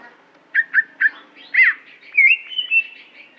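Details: Greater green leafbird of Aceh origin uttering three quick slurred notes, a louder buzzy burst, then a wavering run of high whistles.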